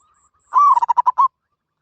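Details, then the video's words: Zebra dove calling: a long note near the start followed by a fast run of five short, stuttering, clipped coos, all at one steady mid pitch, over silence. "Suara Burung Merbok Katok Banir"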